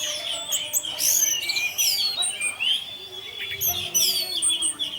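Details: Orange-headed thrush singing in the intense 'teler' style, a lure recording meant to tempt other thrushes into singing. Rapid, varied whistled phrases and high slurred notes tumble over steady, faint tonal humming in the background.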